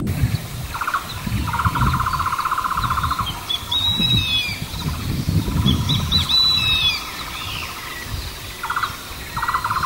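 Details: Adult male Javan hawk-eagle bringing a fresh meal to its young chick: thin, high descending whistled calls in two bouts, over a steady pulsing insect drone and low rumbling background noise.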